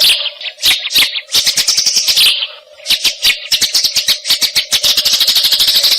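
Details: Tree sparrows chirping, a recording used to tutor songbirds: spaced, bright chirps building into rapid, tightly packed chatter that grows louder toward the end, with a low steady hum.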